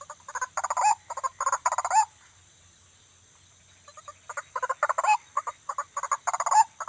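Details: White-breasted waterhen calling at night: two bursts of rapid, harsh, croaking notes, each lasting about two seconds, separated by a quiet pause, with a steady high insect hum behind.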